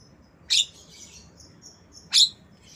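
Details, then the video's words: Black-winged myna giving lovebird imitations, intended to tutor mynas and lovebirds; two harsh grating shrieks about one and a half seconds apart, with faint high twittering warbles between them. "Jalak kebo Suara Lovebird"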